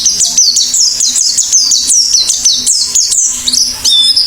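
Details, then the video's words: Rapid, repetitive high chirps from an Oriental white-eye singing actively, each note sliding downward, closing with a couple of clearer slurred whistles. A low steady hum is present. "Burung PLECI GACOR BUKA PARUH"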